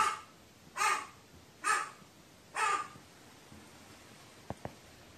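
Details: Crow's monologue, dated 15 May 2018: four rasping caws spaced under a second apart, followed by quiet and two sharp clicks near the end.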